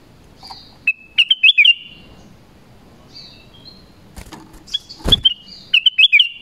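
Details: Black-crested bulbul calling to attract wild bulbuls, two bursts of quick bubbly whistled chirps separated by a pause, with a few sharp clicks and knocks midway and soft background noise.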